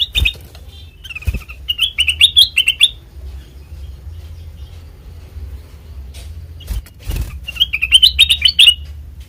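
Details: Black-crested bulbul song for luring birds into traps: a couple of sharp chirps, a bubbly rising and falling phrase, a long quiet stretch with clicks, then another lively warbled phrase.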